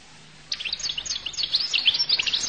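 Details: Collo goldfinch starting up after a half-second of quiet, a steady stream of high tinkling twitters and short slurred notes.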